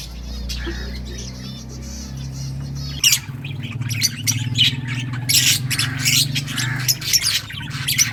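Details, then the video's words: Mixed-mutation lovebirds: after three seconds of near-quiet hum, a burst of loud, harsh, high squawks and rapid chattering chirps, irregular and overlapping, over a steady low drone. "Lovebirds singing & chirping sounds - All mutation sounds"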